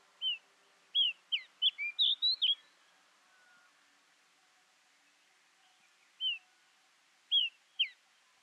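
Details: Female pied bush chat in Ooty, November 2021, giving a quick run of sharp, high chirps and short whistled notes, then a few single notes after a pause; otherwise quiet.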